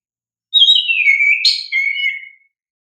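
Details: Oriental magpie-robin singing in a lively lure recording: a single whistled phrase about two seconds long that slides downward, then breaks into a brief sharp burst before ending in a level whistle, with no other sounds.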